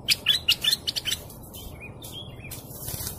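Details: Canary song opening with a quick run of sharp chirps about a second long, then fainter slurred whistles over low background rumble.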